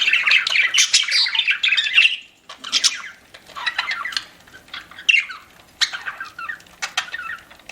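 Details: Eating pet budgerigar giving a rich warbling chatter for two seconds, then brief pauses between scratchy squawks and chirp clusters.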